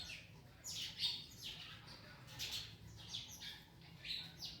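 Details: Parrots eating an orange make short, rasping squawks spaced about half a second apart, steady and moderately loud over a low rumbling background.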